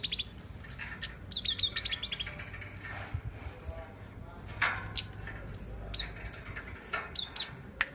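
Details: Kept tame flowerpecker singing actively, a long sequence of very high, sharp downslurred chirps at a lively pace, with short stuttered runs and a low hum beneath.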